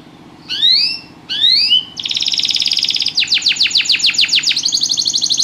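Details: Canary singing in a lively rhythm: two rising whistled slurs, then a long buzzy trill and a fast series of descending sweeps repeated rapidly, ending in another dense trill, with a faint low hum behind.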